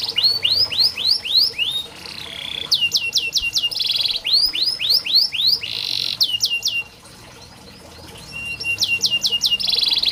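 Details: Canary singing to train lazy young canaries: bursts of quick downward-slurred whistles, crisp repeated clicks and buzzy trilled blocks, phrases alternating with a quiet gap near the end.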